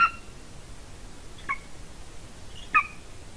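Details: Female golden eagle at a nest camera in Latvia, 30 January 2019, afternoon. Three short, thin yelps are spread over a few seconds. The first and last are strongest, with a steady low hiss behind them.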